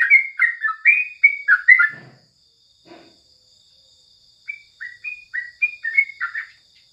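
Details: Sooty-headed bulbul heard in the morning in a songbird training recording: a burst of bubbly chattered phrases, a pause with two soft low sounds, then clear whistles picking up into chatter again.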